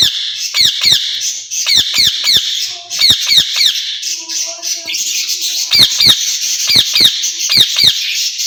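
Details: Two caged rose-ringed parakeets, said to be talking to each other in Urdu, give rapid, harsh, repeated squawks and sharp downslurred chattering notes, several each second, with brief lower tonal notes midway through.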